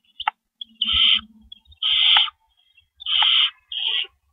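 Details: Owls at their nest at 4:31 AM on April 4 2012 as rabbits are delivered and taken away; broad hissing bursts of about half a second recur four times, with faint soft shuffling and clicks between.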